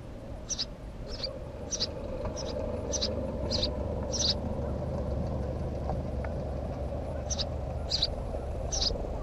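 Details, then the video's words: House sparrow chirps, brief and high-pitched, come in an uneven run of about a dozen notes over steady low traffic-like noise. "Воробей домовый"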